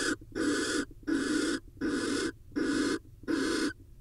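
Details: Steady, rhythmic barn owl hissing from an Israeli nest camera while the male brings prey and mates with the female: six harsh, breathy bursts of about half a second, evenly spaced at roughly 80 per minute.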